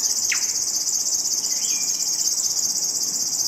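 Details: River Warbler (Locustella fluviatilis) near Denisovo village, Pronsky district, Ryazan region, Russia, May 2021: a continuous, high, mechanical buzzing trill pulsing evenly without pause, like an insect, with brief whistled notes from another bird.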